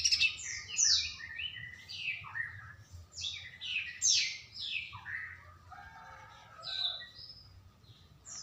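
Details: A juvenile black-throated canary, its voice growing loud, sings a fast, continuous jumble of high twittering notes and buzzy trills, steady throughout, with a faint low hum beneath.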